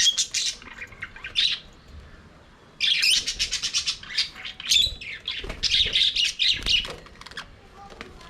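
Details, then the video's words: Budgerigars singing and playing in their aviary, with bursts of fast scratchy chatter, then a pause, then a long continuous run of squawky warbled notes from several birds. "Budgies singing and playing in their Aviary"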